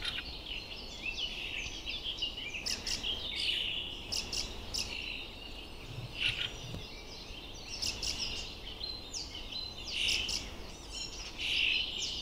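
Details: Fieldfare fledgling calling with scattered high, clipped notes and brief chattering bursts, irregularly spaced over twelve seconds, against steady broadband hiss.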